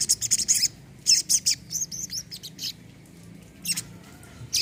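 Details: Olive-backed sunbird, locally called sogon or kolibri kelapa, played as therapy for birds that have stopped singing: bursts of very high, thin, rapid chirps and twittering trills in quick clusters, with short pauses between phrases.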